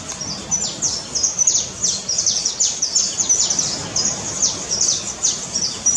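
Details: In Cumuruxatiba, Bahia, Brazil, a red-legged honeycreeper utters a fast, continuous series of sharp, high-pitched downslurred chips, roughly three per second, against soft background noise.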